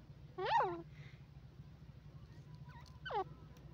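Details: Grey francolin calling: two loud, strongly layered notes that sweep up and then down, about two and a half seconds apart, over a steady low hum with faint chirps between them.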